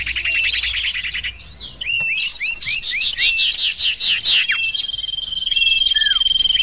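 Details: Sirtu bird calls for luring: stuttering chirps at first, then a string of lively upswept notes and chatter, ending on a steady high whistle with one falling slur.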